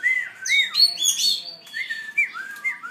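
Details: Young black throat learning to sing: a loud run of slurred whistled notes, rising and falling and sliding between high and mid pitch, with brief squeaky bursts in the middle, delivered continuously over three seconds.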